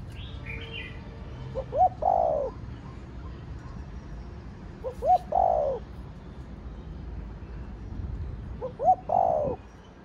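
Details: Spotted dove cooing in the Thổ Đồng voice style, meant to stimulate other doves: three phrases, each a short clipped double note then a rough drawn-out coo, spaced about three and a half seconds apart, over low background hum.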